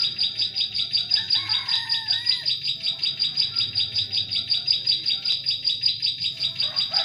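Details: Lure recording of a bar-winged prinia, meant to draw prinias in forest: high chirping notes repeated rapidly and evenly throughout, with a few softer, lower whistles from other birds in the background.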